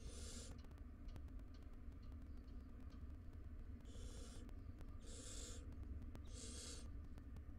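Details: Wild barn owls nesting in a box, the parents with three young. One breathy screech opens the clip, then after a pause three more harsh hissing calls follow about a second apart, over low steady hum.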